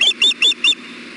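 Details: Osprey at a camera-watched nest on 5 May 2016 as the male brings in a fish with fishing line; four loud, high, clipped chirps follow in quick succession, then fade into a faint background hiss.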